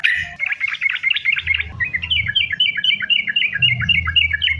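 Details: Sooty-headed bulbul delivering a continuous 'sambung ropel' song meant as a lure for other bulbuls; dense warbling burst, then an even chain of falling whistled notes roughly five per second over a low hum.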